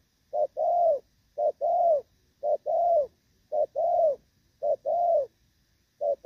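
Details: Spotted dove in moult, Thổ Pha-style cooing, 3 June 2024: clean, loud low coos, each phrase a quick short note then a longer rounded one, six phrases spaced about a second apart in an otherwise quiet setting.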